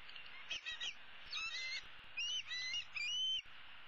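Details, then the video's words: Older bald eagle chick, female, roosting in a tree on 15 April 2016 and begging her parents for food; jumbled high squeaky whistles and chittering notes tumble over one another, some rising, some falling, over steady background hiss. "E7 dangles her right leg and calls for her parents to bring her some food."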